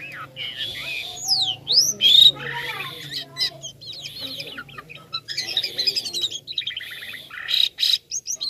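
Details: Jalak kapas starling singing vigorously with a toy-like voice: rapid high whistles, sweeping up-and-down slurs and dense chattering phrases in quick bursts, with a steady low hum underneath.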